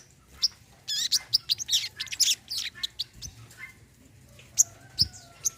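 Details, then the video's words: Olive-backed sunbird recording for coaxing birds that have stopped singing: a busy run of fast, high twittering and chipping notes for about two seconds. Scattered single sharp chips follow over a faint low hum. "TERAPI BURUNG SOGON KOLIBRI KELAPA MACET BUNYI"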